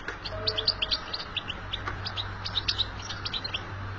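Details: European goldfinch singing in the wild, a bitbita-style song: rapid bright twittering chirps and short tinkling notes at high pitch, tumbling continuously through the clip over a steady low hum.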